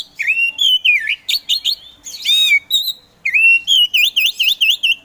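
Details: Oriental magpie-robin, a caged kacer trained for singing contests, delivering loud clear whistles: swooping slurred notes, a descending sweep, then a rhythmic series of repeated V-shaped whistled notes about four per second.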